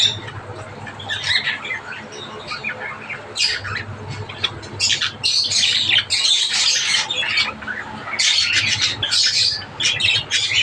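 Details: Several Java sparrows chattering in dense, irregular bursts of sharp high chirps, roughly two hundred notes a minute, rising and falling in intensity, with a low background hum.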